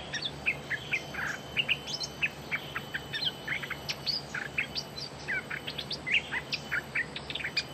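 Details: Bulbul, a newly caught bird in training, giving a lively run of short chirped and whistled notes. The notes come in quick clusters throughout with a faint steady hum behind them.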